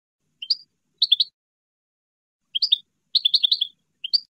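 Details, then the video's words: European goldfinch, wild campero-style song used to train captive birds: short liquid chirps and quick twittered bursts of three to five notes, separated by pauses, in a clean recording with no background noise. "CD CAMPERO PARA EDUCAR JILGUEROS"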